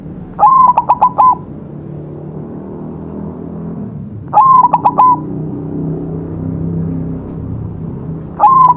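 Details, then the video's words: White zebra dove, recorded as a singing tutor, repeats its cooing phrase three times at roughly four-second intervals; each phrase has a long opening note then five or six rapid staccato coos, with a soft low rumble between phrases. "perkutut putih masteran gacor"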